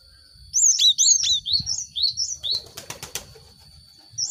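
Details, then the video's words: Cinereous tit lure song, used to stimulate grouped caged birds to sing quickly: a fast run of high, sharp, slurred chirps, then a burst of dry clicks and flutter, with a steady high tone throughout. "Pancingan gelatik batu untuk merangsang burung ombyokan cepat bunyi"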